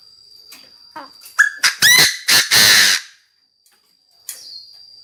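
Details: Chinese francolin, a decoy bird calling to the flock: a few soft clicks, then a loud burst of harsh, grating notes that rise in pitch and end in a long rasping note, over a steady thin high whine.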